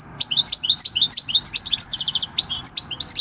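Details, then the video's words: European goldfinch, a six-year-old wild-caught male-style field singer, recorded 26 December 2019, delivering a continuous run of liquid, tinkling, upslurred notes mixed with a short rattling trill, quick and uneven in rhythm. "Chant du chardonneret / Goldfinch song"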